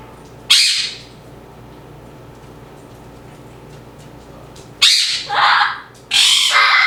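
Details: A pet Moluccan cockatoo indoors in a basement bird room gives three loud, harsh, broadband squawks close by, one early and two near the end, with quiet room hum between.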